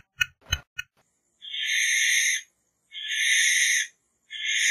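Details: Barn owl: three short knocking clicks, then drawn-out rasping hisses of about a second each, separated by brief silences.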